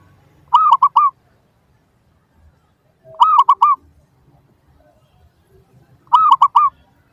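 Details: Lure song of a zebra dove meant to draw responses from other doves: three strong, rhythmic phrases of three or four fast rolling coos, each about half a second long, repeated every 2.8 seconds against near silence.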